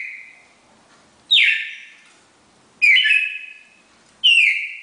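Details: Pair of red-crested cardinals singing the classic four-note Bagé song: loud, pure whistled notes, each starting high and sliding down, repeated about every one and a half seconds, three in a row, with little else audible.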